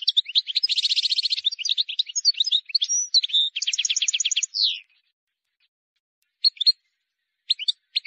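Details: Wild European goldfinch singing, a song offered for teaching young birds: about five seconds of fast tinkling twitters mixed with buzzy rattling trills and liquid notes, then a pause broken by a few short high chirps.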